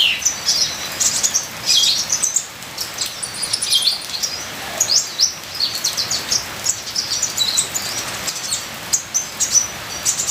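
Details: Ninja sunbird in full varied song: dense runs of sharp, very high twitters and trills that tumble in quick succession for ten seconds, with a constant patter of rain underneath.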